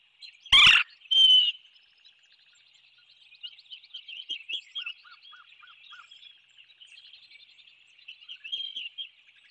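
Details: A large flock of Cedar Waxwings touring treetops on a February morning on Skidaway Island, Georgia, gives a steady chorus of very high, thin, lisping trills; two loud thumps near the start and a brief lower series of notes midway.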